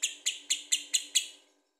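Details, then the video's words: Lovebird giving six sharp, high, clipped chirps spaced about a quarter second apart, each fading quickly, ending in silence. "Lovebird Gacor Bagus buat pancingan"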